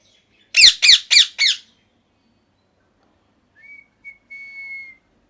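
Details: Molting pet parrot indoors: a rapid burst of four harsh grating squawks in about one second, followed by soft thin whistled chirps and a longer faint steady whistle.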